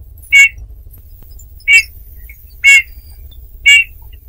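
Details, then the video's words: Eurasian bullfinch: four slightly harsh, piping notes about a second apart, over a constant low rumbling hum. "chant de bouvreuils - song Pyrrhula - طائر الدغناش"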